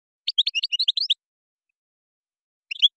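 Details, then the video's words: Moroccan-style European goldfinch song with gazarat and srrr bertbertio phrases: a quick run of about a dozen sharp, bright chirps with slides of pitch, then silence and a short closing twitter. "تغريد مغربي ڨازرات + سررر برتبرتيو canto jilguero marocco"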